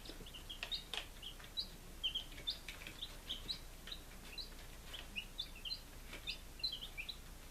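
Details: Young chickens five days old, kept in Lunenburg, Massachusetts, July 2017, peeping continuously in lively overlapping high notes, some rising and some falling, with light knocks and rustles.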